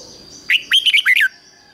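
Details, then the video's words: Decoy red-whiskered bulbul calling wild birds in: a single quick phrase of about six bright, rich whistled notes rising and falling, over a constant thin high tone. "Chào mào mồi HÓT CHÉ GỌI BỔI CĂNG ĐÉT"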